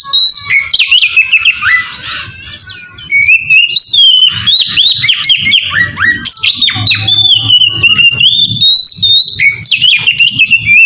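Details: Lure song of an Oriental magpie-robin, used to make other magpie-robins sing; long varied stream of whistled slurs, scratchy notes and fast chatter, with a faint low hum underneath.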